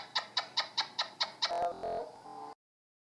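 An Alexandrine parakeet gives seven quick, harsh squawks about five per second, then a longer, wavering, speech-like utterance.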